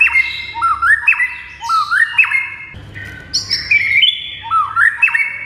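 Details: A white-rumped shama repeats a whistled rising slur phrase about once a second as training song, with a brief break of higher notes before the phrase returns.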